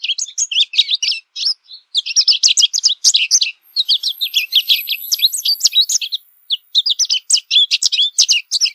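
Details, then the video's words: American goldfinch pouring out a lively high twittering song of tumbling chirps and slurred notes in several long runs, with a faint thin whine in the background partway through. "American Goldfinch Song! American Goldfinch Call!"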